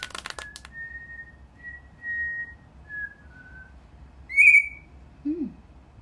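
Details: Indoor cockatiel rehearsing a tune note by note: a series of long, level whistled tones stepping slightly down in pitch, then a louder sharp whistle and a brief low sound, after some opening clicks.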